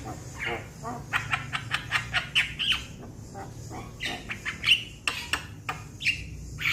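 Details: A young Javan myna calls to its companions with a rapid burst of clicking notes, then louder harsh squawks and sliding whistles at irregular intervals, over a low steady hum.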